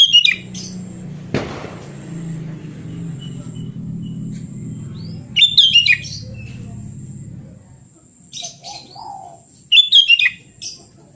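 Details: Natural song of a sooty-headed bulbul, used to coax a silent bird back into singing: short, sparkling warbled bursts separated by several seconds of quiet, with one sharp knock early on and a faint low rumble beneath.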